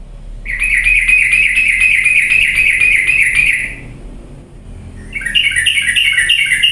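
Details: Sooty-headed bulbul song played as a lure to spur lazy birds into lively singing. A long, even, pulsing buzzy trill lasts about three seconds, a pause follows, then a higher stuttering trill resumes.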